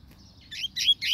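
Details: Short burst of double-collared seedeater song, three quick buzzy chirps with the last one sliding upward into a thin whistle.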